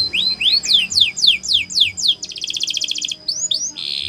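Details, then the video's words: Canary training song made of rising and falling slurred whistles repeated about four times a second, broken by a dense buzzy rattle and a final harsh burst. "The Best Canary Sounds !! Canary Training"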